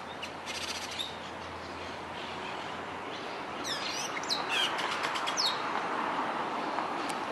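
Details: Austral blackbird (tordo) calling: faint chirps early, then a busy burst of sharp slurred whistles and rapid clicking chips from about halfway, set against constant broadband background noise.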